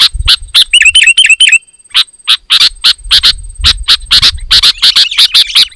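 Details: Sooty-headed bulbul song meant to provoke rival bulbuls; it opens with a quick series of clear, ringing, bouncing chirps, then settles into steady, harsh chip notes repeated in pairs, with soft low rumbling behind.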